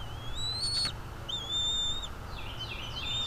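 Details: Bald eagle at its nest, nest camera recording, 23 April 2021, 07:25: three drawn-out high whistles, each slightly rising then level, the last breaking into quick short chips.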